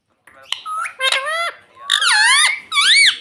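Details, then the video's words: A pet ring-necked parrot indoors gives a short string of shrill, nasal speech-like squawks, slurred and rising, as it imitates "mummy". "Parrot Talking Mummy Mummy || Bolne Wala Tota"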